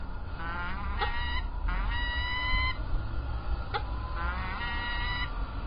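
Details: Peregrine falcons at Illkirch-Graffenstaden, France, on 3 February 2018: a series of four or more nasal, slightly rising harmonic wails of about half a second to a second each, one sharp click, and a steady low rumble.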